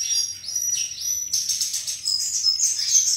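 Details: A sikatan, or flycatcher, sings sweetly. Its high whistled notes sweep down and then rise again, followed by a run of fast, tinkling trills.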